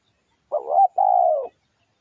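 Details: A single spotted dove phrase used as a lure: a short wavering rising coo, a brief break, then a long level coo tailing off lower.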